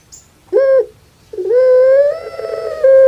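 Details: A puter pelung dove kept in Java, Indonesia, its call described as like a crying baby: a short arched note, a pause, then a burring start rising into a long, steady, slightly climbing coo.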